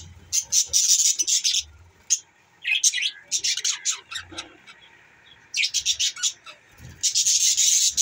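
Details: Budgerigars producing bursts of high, buzzy chirping chatter, several loud clusters broken by quiet spells, with a few thin squeaks and light low thumps.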